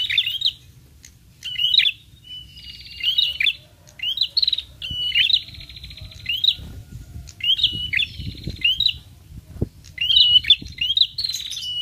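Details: Prinia lure recording of repeated high, bright chirp phrases. Each has a buzzy sustained note and then a quick upward twitter, coming in irregular bursts over a low rumbling background with occasional clicks.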